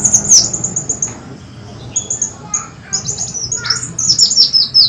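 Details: Black sunbird (kolibri wulung) calling to lure birds: a high twittering burst, a pause, then scattered sharp chips building into fast descending high-pitched twitters near the end.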